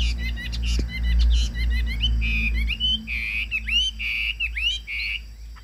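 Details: Chinese hwamei kept in a cage, singing strongly: a run of clipped repeated double notes, then long clear whistles and rising-falling slurs, with a faint low hum behind.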